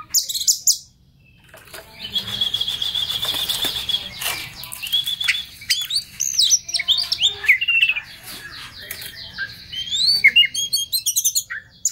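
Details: Oriental magpie-robin song as a lure for a stressed bird: after an opening burst, a long steady buzzy tone with rustling background, then rising whistles and quick twittering notes.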